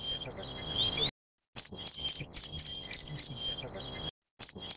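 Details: Fire-breasted Flowerpecker (Taiwan endemic subspecies Dicaeum ignipectum formosum) giving sharp, very high ticking notes, about three or four a second, after a thin high trill; otherwise quiet.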